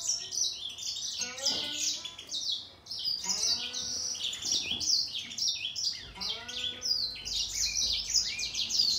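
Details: A grey singer finch duels in song with a green singer. Rapid twittering, overlapping high notes are broken by short descending lower slurs roughly every two to three seconds.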